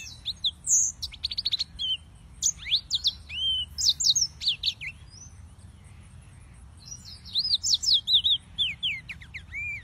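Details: Yellow-fronted canary singers, Serinus mozambicus: bright chattering song with trilled note clusters, a quiet gap midway, then more looping whistles and upslurred notes.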